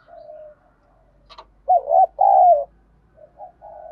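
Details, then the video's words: Spotted dove in the Đồng Pha style, cooing to challenge other doves: soft hum, a brief click, then two loud wavering coos, the second longer and falling, followed by quieter trailing coos and faint low background rumble. "Tiếng cu gáy giọng Đồng Pha thúc đấu rút bổi nhanh"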